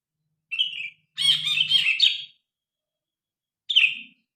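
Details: Grey-cheeked bulbul singing loudly, recorded by phone with natural sound for use as a tutor recording for pet birds: a short slurred chirp, a dense burst of rich warbled notes, then another slurred chirp after a pause.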